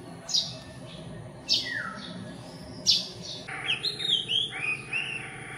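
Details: Philippine magpie-robin, possibly singing to claim territory while gathering nest materials and moving between perches: three sharp high notes about a second apart, one trailing into a falling slur, then a quick run of sweet, varied whistles.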